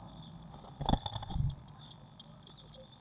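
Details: Blue tits in a nest box on 19 May 2019, feeder freshly stocked with waxworms; high, squeaky notes run almost continuously, interrupted by a brief dull thump and rustle near the middle.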